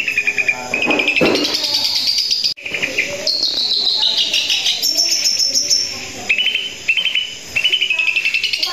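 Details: Long-tailed shrike (cendet) in vigorous continuous song: harsh chatter mixed with high sliding whistles and rapid repeated notes, broken by one short sharp gap midway.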